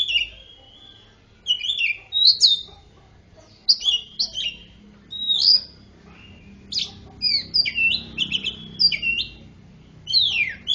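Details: Greater green leafbird song laced with magpie-robin phrases, used to stimulate silent birds into singing: varied bright slurred whistles, chirps and short rising and falling notes in bursts of about a second, separated by brief pauses, with faint low background hum.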